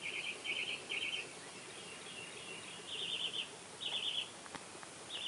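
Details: Newly hatched purple martin chicks on day 1 in Spring Branch, Texas, begging: thin, high, buzzy twittering bursts of about half a second each, in irregular runs against a soft background hiss.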